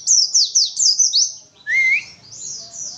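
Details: Untrained pleci, the Oriental white-eye, singing a 'witwitwit' burst of about six rapid, high, falling chirps, then a clear upward-sliding whistle and softer high trailing notes.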